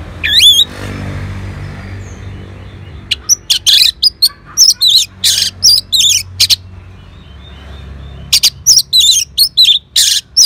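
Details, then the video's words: Orange-headed thrush replying at once to a played lure, giving a dense run of sharp, high, varied whistles and chattering notes in quick bursts, with a short pause midway. "Sangarnya Respon ANIS MERAH Langsung Nyaut Dengar Pancingan Suara Burung Ini"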